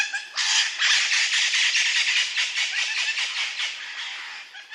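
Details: Indian ringneck parrot sounds in natural surroundings: a continuous, dense stream of rasping, grating chatter with rapid overlapping notes, holding steady for several seconds before easing off slightly.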